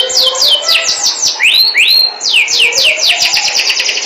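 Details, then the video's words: Melodious canary song with quick runs of falling whistled notes, broken by two upward-swooping slurs before the rapid descending trill resumes, bright and continuous throughout. "Suara burung kenari merdu"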